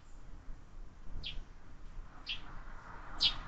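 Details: Sparrows visiting a feeder fixed to a window, fledglings increasingly present: three separate sharp chirps about one second apart against a constant low background hum.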